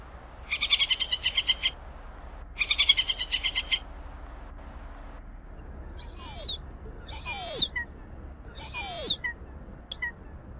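A Hen Harrier gives two rapid, high chattering bursts of about ten notes each, then three shrill, slurred squeals that drop sharply in pitch.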